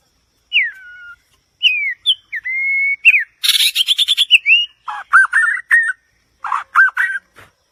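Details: White-rumped shama singing: downslurred and level whistles, a buzzy stuttering rattle, then lower warbling phrases with rising and falling notes, with brief pauses between elements.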